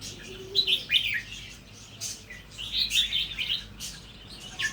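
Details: Natural-line red-whiskered bulbul starting to sing doubled phrases; a few quick slurred chirps followed by a longer bubbling burst, then a final short note.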